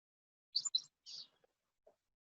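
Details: Chestnut-sided Warbler, a small meadow warbler, singing the song remembered as 'please please pleased to meet you': two quick, high, sweet notes followed by a longer slurred phrase, then a faint trailing note, with no other sounds.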